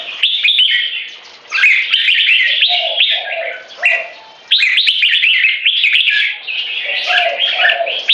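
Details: Competition jambuls, Red-whiskered Bulbuls aged 3.5 and 7 years, duel for dominance through butir frequency singing and gaya display. Energetic whistled bursts alternate with quieter stretches near one and four seconds, then resume strongly.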